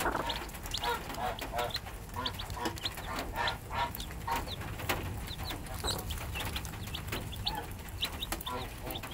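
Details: Domestic hen raising 3-day-old chicks; rapid overlapping high chick cheeps sound over several low, rounded clucking notes from the hen, busy and continuous.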